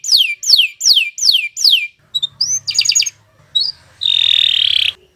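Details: Canary song meant for training other birds: five loud descending whistled sweeps evenly spaced, then soft chips, a short pulsed roll and a long buzzy trill.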